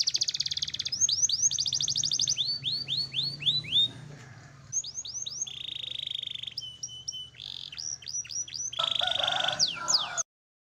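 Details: Canary, black-red, singing for training pet birds: fast high rolling trills and sweeping whistles, repeated in varied bursts, with a brief quieter gap midway and faint low hum beneath.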